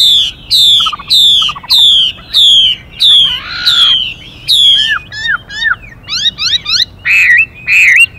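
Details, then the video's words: Chinese hwamei male singing, voice changing continuously, with female calls urging him on: a string of loud descending whistles about every 0.7 seconds, then quick twittered and looped phrases, ending in repeated rich warbles. "họa mi hót Đảo Giọng liên tục kèm thêm tiếng chim mái xùy kích bổi nhanh"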